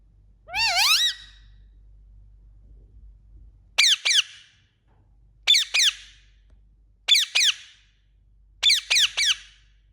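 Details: Indian ringneck parakeet chirping: an opening rising-then-falling squawk, then sharp, high, downward-sweeping chirps in pairs or triplets, repeated about every one and a half seconds, with low background rumble.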